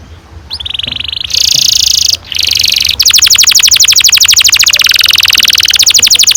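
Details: Canary singing a long roll, used as a lure for young canaries learning to sing: brief whistled notes and buzzy phrases, then a loud, fast, steady rattling trill of about four notes a second continuing to the end.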